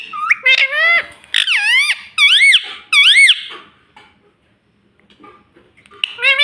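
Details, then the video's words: Indoor pet ring-necked parrot mimicking speech, saying "mummy" in squeaky, high, arching syllables three or four times over two seconds, then near silence before another burst of talk. "Talking parrot - Mummy Mummy Bolne Wala Tota - bolne wala tota - Mitthu mitthu."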